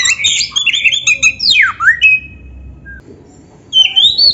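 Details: Magpie-robin singing a training song with rich fill-ins: dense rapid chatter, then a loud sweeping whistle that dives and climbs again, a pause, and a final rising warble.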